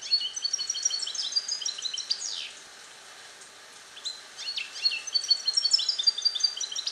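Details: Captive-born male European goldfinch, hatched 2021 and song-trained in the Neapolitan passata style, kept alone in a small carrier cage. Two bursts of rapid, bright, twittering phrases with high tinkling notes and quick descending slurs, separated by a short pause.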